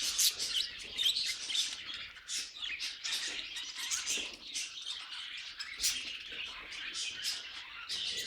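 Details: Pet budgies in chorus, a busy stream of twittering chirps and clicky notes, louder squeaky peaks every second or so over steady chatter.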